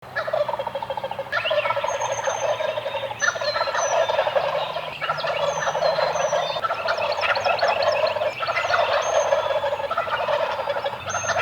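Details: Eastern wild turkeys gobbling from the roost on a morning, several birds in long overlapping bursts of rapid rattling gobbles, nearly continuous, with high thin whistled notes of other birds above.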